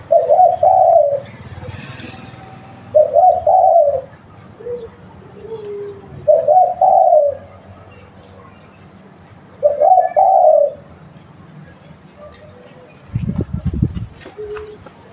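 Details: Local spotted dove, kept as a lure bird, giving soft, low cooing phrases about every three seconds. Each phrase is a short rolling burst followed by quieter trailing notes. Steady background hum, with a dull knock near the end.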